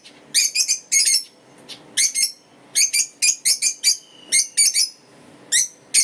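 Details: African lovebirds chirping: shrill, harsh, high-pitched chirps in quick clusters of two to four, repeated in bursts with brief quiet gaps between, over a faint low background hum.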